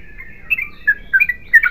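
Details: Yellow-vented bulbul giving a brief sequence of soft, slurred chirps, a few rising and falling notes clustered near the end.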